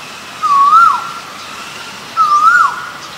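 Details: Male Asian koel calling: two loud, clear whistled phrases, each rising and ending in a quick upward flick, spaced almost two seconds apart, over faint steady background hiss.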